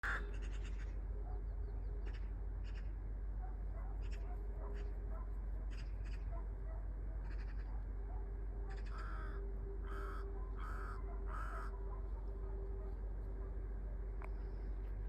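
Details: Crow calling in the morning: scattered harsh caws, then a closer series of four loud rasping caws about a second apart, over a constant low rumbling hum and a faint steady tone.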